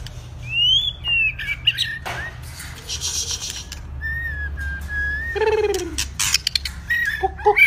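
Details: White-rumped shama, in two-season plumage, practising song: clear rising and level whistles mixed with short clicks, a descending stack of harsh notes near the middle, and quick high chips at the end over a low background hum.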